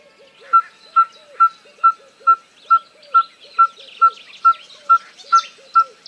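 A Red-fronted Tinkerbird sings a monotonous series of clear, hollow pipes, about two per second at a steady pitch, with other birds chattering faintly behind.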